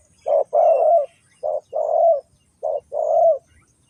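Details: Spotted dove used as a lure for wild doves in a trap, from Ninh Thuận: three clear phrases, each a brief coo followed by a longer drawn coo, separated by short silences.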